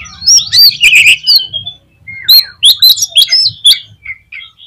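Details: Oriental magpie-robin (kacer) song used as a lure to excite other magpie-robins: loud, fast varied phrases of sharp whistles, chattering notes and rising slurs, repeated in quick bursts over a faint low hum.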